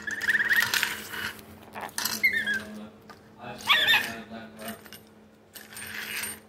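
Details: Captive rainbow lorikeet flirting with its own reflection in a mirror: short squeaky chirps and a few rising warbled notes in bursts, separated by pauses, with a steady low hum throughout.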